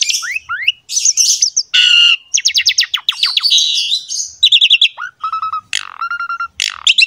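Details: Energetic Asian pied starling song aimed at prompting young birds of either sex to sing: rising whistles, harsh grating bursts, rapid rattles and clipped repeated notes tumbling in dense succession.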